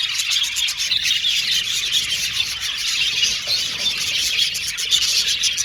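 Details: Many budgies in an aviary colony, an unbroken rush of high twittering and squealing notes, the whole flock chattering at an even level.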